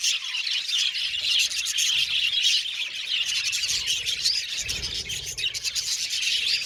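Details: Chirping budgies fill the air with rapid high tweets, brief upward whistles and scratchy chatter, all overlapping in a steady din, with a soft low bump near the end.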